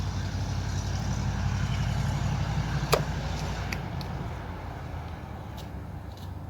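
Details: A low engine rumble of passing vehicles, with a sharp click near the middle and a few faint knocks, and no animal voices.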